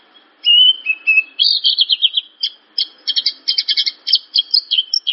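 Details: Masteran of a Javan bush lark: starts with a clear whistled note and slurred phrases, then moves into fast chattering bursts of high notes, sustained and varied.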